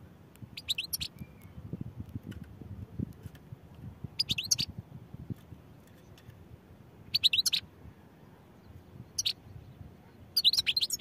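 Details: European goldfinch singing in short bursts of high, tinkling twitters, four phrases spaced a few seconds apart, over a steady low rumble of background noise.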